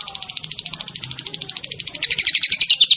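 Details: Long ngekek chatter from a champion lovebird: rapid, very high, scratchy notes pour out evenly, then grow louder and slightly lower near the end, with a faint low murmur underneath.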